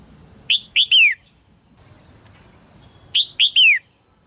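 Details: A red-whiskered bulbul female, caged and calling to urge a young male to sing, gives two identical phrases about two and a half seconds apart. Each has two sharp chirps and a downward-sliding whistle.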